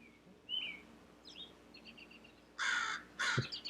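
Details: A crow gives two loud, harsh caws in quick succession near the end, after faint thin chirps of house sparrows in the background, with an American robin singing over the top.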